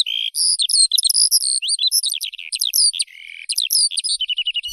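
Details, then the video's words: A Eurasian skylark pours out a rapid, shrill warble of clipped chirps and slurred notes, with a brief lower, buzzier phrase near the three-second mark before short repeated chips. "Skylark Birdsong"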